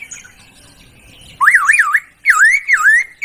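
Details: Laughingthrush on a songbird-training tutor recording: after a quiet start, loud wavering whistles swing up and down in quick zigzags, then a series of rising slurred notes.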